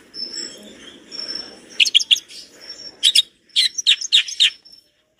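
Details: Long-tailed shrike in energetic song with rich fill material: thin, drawn-out high whistles give way to clusters of loud, sharp chirped notes in short quick bursts, with faint low rustling underneath.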